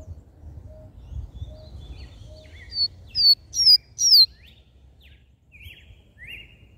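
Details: Mateiro-style song of a double-collared seedeater, meant to stimulate males: soft high chips, then a run of loud, high, sharply rising and falling whistled notes, followed by fainter buzzy trills, with low rumble underneath.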